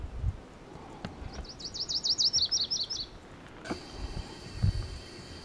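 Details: Virginia's warbler (Leiothlypis virginiae) song: a high, quick trill of about a dozen sweet notes lasting two seconds and slowing near the end, over low rumbling background noise.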